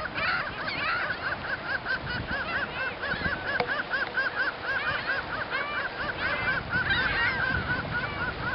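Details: Ring-billed Gulls copulating on Montrose Beach, Chicago, Illinois, give rapid, repeated, rising-and-falling mewing calls, with many overlapping calls from other gulls around them.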